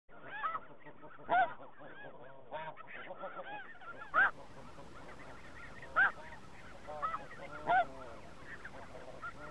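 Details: Snow geese in spring 2017 call in a steady chorus of nasal, yelping honks. Louder single honks stand out roughly every two seconds above the dense background of the flock.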